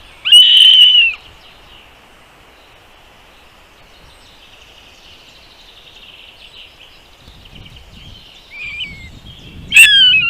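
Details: Nest-site bird calls as a mother brings food to her chicks: a loud, high, slightly falling whistled note opens, then near silence, and two more sharp high calls at the end.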